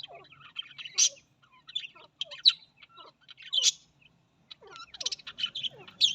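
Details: Australian parrots calling in clusters of bright chirps and downward-sliding whistles, with short pauses between groups and louder sharp notes standing out.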